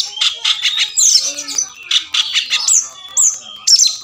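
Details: Oriental magpie-robin singing a varied sequence meant to make mute birds respond, fight and fan the tail. Bursts of rough chatter alternate with thin, clear whistled notes and short squeaky phrases.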